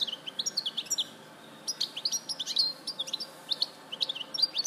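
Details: European goldfinch singing, Larache, Morocco, 2014: fast run of tinkling high twitters and trills, a brief pause, then another lively twittering phrase.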